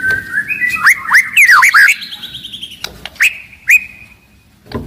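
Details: White-rumped shama, described as aggressive and loud, singing to make other shamas sing and fight; a fast series of rising and falling whistled notes, then a few isolated sharp upward whistles fading out.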